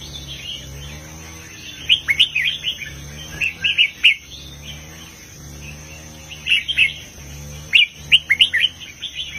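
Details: Heavy southern master-song style from a red-whiskered bulbul, meant to excite other bulbuls: irregular groups of lively, warbled chirps with quiet gaps between them, a continuous thin high whine underneath.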